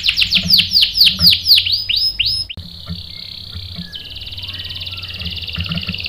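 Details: Singing canary used to make another male respond: a run of quick descending whistled notes, then a steady high buzzing roll that steps up in pitch.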